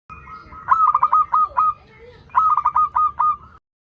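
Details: Melodious song of an actively singing local zebra dove, a lure for doves learning to sing: two phrases of quick stuttering coos, each ending in a drawn-out steady tone, with a soft low murmur of background noise.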